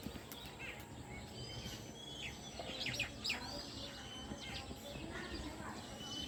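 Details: House sparrow chirping in the evening: short, bright chirps, some rising, scattered and irregular, clustering around the middle of the recording, over a steady low hum and background noise.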